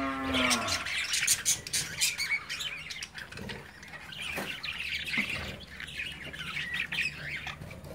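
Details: Caged budgerigar babies playing as the adults watch; a low moaning tone opens, then fast chattering chirps and squawks in quick, uneven succession.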